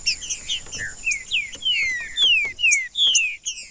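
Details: Green-winged saltator singing in a natural stimulating recording for caged tournament birds: a lively series of clear whistled notes, each gliding downward, delivered about twice per second over a faint high-pitched hum.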